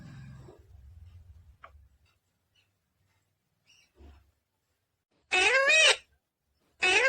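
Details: Green Indian ringneck parakeet, said to be talking: after five quiet seconds with faint low hum and soft clicks, one loud, harsh, wavering voice-like burst lasting under a second, then a second loud burst beginning as the recording ends.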